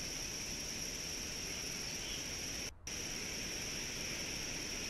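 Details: Steady hiss with constant high-pitched tones and broadband static, briefly cut to near silence at one point; no animal calls are heard.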